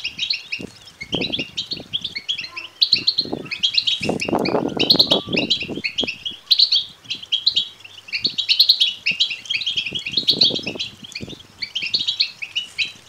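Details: European goldfinch chick begging calls, meant to stimulate males to sing and mate: repeated bursts of rapid, thin chirping, about sixteen a minute, with rustling and thumping sounds in between.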